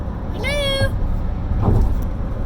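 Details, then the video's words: Pet parrot in a car near the Arthur Ravenel Jr Bridge, Charleston, SC, headed to an exotic vet, makes a single level, drawn-out whistled cry lasting about half a second, followed by a woman talking and engine hum. "Parrot Making Odd Noises & Laughing"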